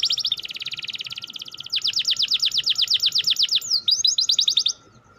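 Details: Canary singing a quick 'ngerol' roll: a dense buzzy trill, then a run of clear repeated high notes about five per second, ending in sliding whistled phrases before silence, with faint steady hum behind.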